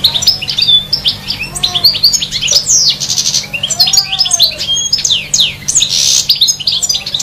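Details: European goldfinch singing in trees: a rapid, tumbling stream of high twittering, tinkling and buzzy notes with quick upward and downward slurs, delivered almost without pause, a few soft lower whistles underneath.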